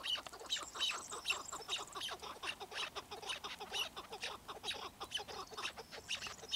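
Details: A chukar partridge utters repeated clucking chucks at about two per second, mixed with thin high squeaky notes and steady background hiss.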